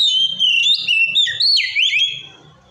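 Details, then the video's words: White-rumped shama delivering a continuous song to provoke other shamas: sustained, bright whistles that dip and rise in wavy slurs, with faint low background rumbling, fading out near the end. "Suara Kacer Gacor Ngeplong Ampuh Memancing Emosi Kacer Lain"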